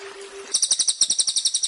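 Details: Cililin song used for training songbirds such as the white-rumped shama: a fast series of high, double-toned chirps repeated about ten times a second, after a brief low tone and background noise.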